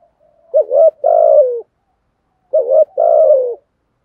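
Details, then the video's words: Two matching phrases from a spotted dove, each a brief dipping coo joined to a longer hollow coo that sags lower at its close, spaced about two seconds apart in otherwise quiet surroundings. "chim cu gáy bài bản thúc với gù"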